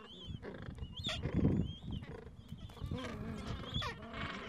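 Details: At a gentoo penguin breeding colony in the Falkland Islands, adults tending young chicks on a mild afternoon; a loud low braying burst near the start, then softer harsh calls and repeated thin, high chick whistles.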